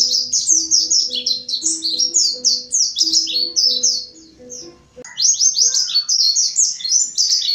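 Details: Busy high chattering song of a mountain white-eye, used as a lure, runs for several seconds beside soft low steady tones, fades briefly, then returns loud and rapid without the low tones.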